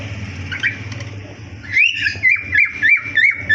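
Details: Cockatiels in a breeding colony aviary: after a low background hum, a run of loud whistled chirps, each sliding up then dropping, repeated about three times per second.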